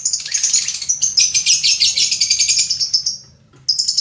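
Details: Lovebird singing in a fast, continuous stream of shrill, buzzy chirps, the run lasting about three seconds before a short silence and a fresh burst of high twittering.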